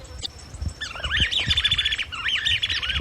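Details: Brazilian Chapada flycatcher: after a quiet start, a fast run of twisting, rising and falling whistled notes, two dense bursts of repeated loops, with soft low bumps in the background.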